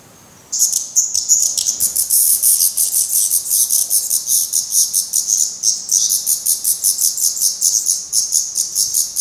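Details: After a quiet start, fledgling black redstarts at their nest in Portugal break into a fast, continuous train of very high hissy pulses, roughly four or five a second, while parents keep feeding them.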